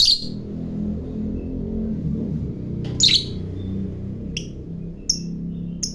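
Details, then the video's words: Lovebird of the fighter type, said to provoke rival lovebirds with its long chatter: two shrill squeaks and three short thin chirps over a steady low indoor rumble. "Suara Burung Lovebird Fighter Ngekek Panjang"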